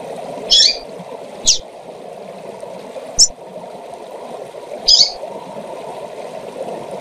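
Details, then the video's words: Female double-collared seedeater calling to excite males: four short, high, chip-like notes at irregular gaps over seven seconds, with faint clicks and a steady low rushing hum underneath. "Fêmea de Coleiro Chamando para Esquentar e Foguear Qualquer Coleiro ou Papacapim!!!"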